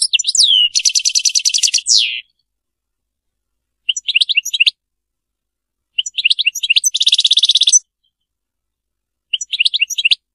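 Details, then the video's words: European goldfinch singing the Sarfati style over ten seconds: a falling slur, long buzzy trills and short phrases of bright twittering chirps, each phrase separated by quiet pauses. "تغريد رائع للحسون ملك الطيور المغردة تغريد السرفاتي"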